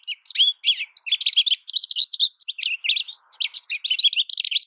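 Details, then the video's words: American goldfinch singing a rapid, unbroken run of high twittering and warbling notes, with sweet slurred chirps tumbling over one another, one brief pause near the middle, and no other sounds. "American goldfinch Bird Sound, Bird Song, Bird Call Bird Calling Chirps, Birds Chirping Melody"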